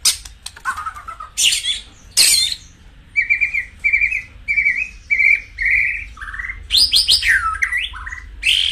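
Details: White-rumped shama singing a loud, varied song of sharp chips, a run of short rolling mid-pitched notes, then rising and falling whistles; song played to stimulate other shamas into fiery singing.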